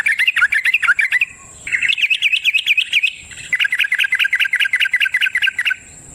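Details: Long, fast song of a yellow-vented bulbul for luring other bulbuls to sing: three runs of rapid, chirpy up-and-down notes separated by short pauses.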